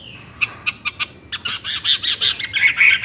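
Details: Chinese hwamei: a few spaced short notes, then a fast loud series of repeated ringing phrases building in strength.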